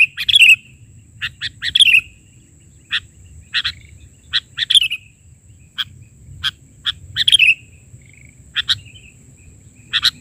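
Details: Chatty sooty-headed bulbul filler song, 'bahari' version: a long series of short, clipped chirps at irregular intervals, with three rich phrases of rapid notes trailing into down-slurred whistles, and a steady faint high whine throughout.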